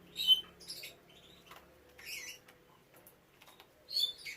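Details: Kept canaries at a breeding site with chicks; sharp, high squeaky chirps in short bursts, a loud one at the start, softer twitters in the middle and another strong burst at the end.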